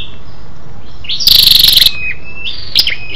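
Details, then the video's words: A female Scarlet-backed flowerpecker calls to stimulate males. A short, high, rapid rattle of about half a second sits among faint, thin, level whistles. "SÂU ĐẦU ĐỎ MÁI RO KÍCH TRỐNG- Giọng MỒI HAY"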